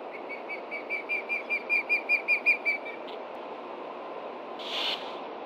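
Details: Adult osprey of a nesting pair in Montana, late morning of 30 June 2013, calling in alarm at a threat below. A quick run of about thirteen piercing whistled notes stops abruptly, followed by a short burst of noise.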